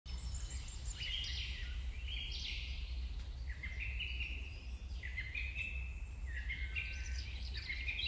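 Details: Ducorps's cockatoo (Solomon cockatoo) giving several harsh, nasal squawks, some level and some stepping upward, in quick bursts every second or so over a steady low rumble of wind or traffic.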